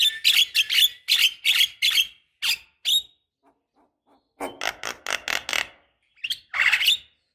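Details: Javan myna female calling toward the male as a singing lure: rapid bursts of harsh grating notes, a short pause with faint ticks, then more rasping chatter and a final loud squawk.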